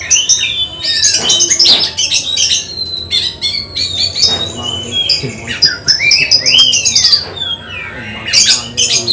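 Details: Oriental magpie-robin tested ahead of a songbird contest, pouring out loud arched whistles, down-slurred notes and scratchy chips in a continuous, varied stream.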